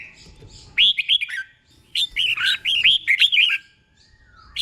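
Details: 'Beun' doubled song from a caged red-whiskered bulbul, played to teach birds: two bursts of rapid, bouncing whistled notes, the second longer with about eight quick arching chirps, then silence.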